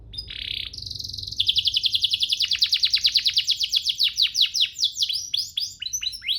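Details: Canary master song for training birds to sing: opens with a short buzzy burst, then a long fast trill of crisp repeated notes, speeding into rolling downward-swept phrases.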